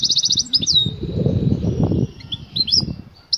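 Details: An excited female European goldfinch calls the male to mate with batbata notes: a short rapid trill, a falling slur, then scattered high chips over a steady low rumble and rustling.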